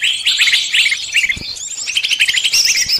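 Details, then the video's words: Numerous birds heard in a lure recording for trapping: rapid tumbling tweets and rising whistled notes, tightly packed and overlapping, over a steady high shimmer of chatter. "Pikat burung semua jenis terampuhhh"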